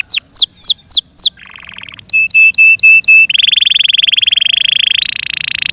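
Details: Yorkshire canary, a pet bird, singing falling whistled notes, a soft buzz, a series of sharp clipped chips, then a long steady rattling trill rising slightly in pitch near the end.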